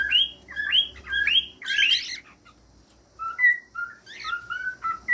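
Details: Pet cockatiel whistling: rising-falling slurred whistle phrases repeated about every half second, then a harsh burst near two seconds, followed by shorter level whistled notes after a pause.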